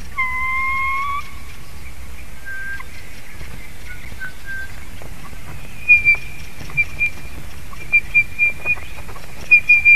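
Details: Female white-tailed eagle whining from above her nest in Durbe, Latvia, evening of 27 April 2021, as an unfamiliar male eats her egg: two long steady whistles, then a series of short high whistled notes about every half second amid steady low background noise.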